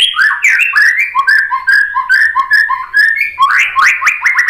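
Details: White-rumped shama song played to provoke fighting males into answering; loud, rich whistled phrases of rapidly repeated descending slurred notes, varied and continuous, ending in a rising run.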